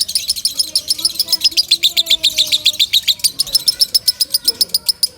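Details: Shrill, fast lovebird chirping, loud and used to train other birds: closely packed high notes around four a second, with drawn-out lower whistles from other birds underneath.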